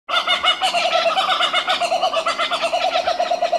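Two laughing kookaburras cackle together in a loud, continuous chorus of rapid, throaty hoots that keep rolling without a break.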